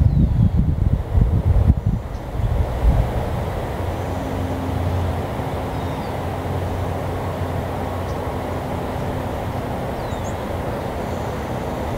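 Low rumbling machinery or passing-train noise with wind buffeting, and no clear animal calls.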